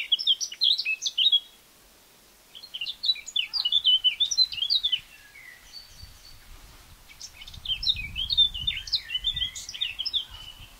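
A Eurasian blackcap sings three quick, rich warbling phrases of bright, fluty notes, a few seconds apart, over low rumbling wind noise.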